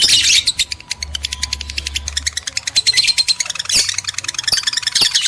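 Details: Lovebird sounds played to stimulate breeding in males and females: fast, shrill chirping repeated several times a second, harsh buzzy squeaks in dense bursts, with a faint low hum underneath.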